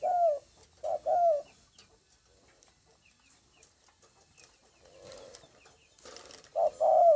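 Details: Spotted dove on 9 May 2020 giving paired low coos at the start and again at the end, with a quieter stretch of faint chirps and rustling noise between.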